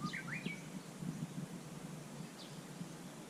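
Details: At Susan-ri on 18 July 2020, a Japanese bush warbler gives a brief variant phrase at the start: a low whistle, then two fast rising whistled sweeps. Soft rural background noise follows, with a faint high chirp later.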